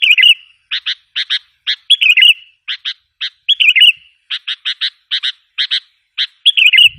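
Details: Sooty-headed bulbul lure sound to provoke wild bulbuls: paired and tripled sharp chirps repeated steadily, broken every second or so by a short rolling fluty phrase, in clean quiet surroundings.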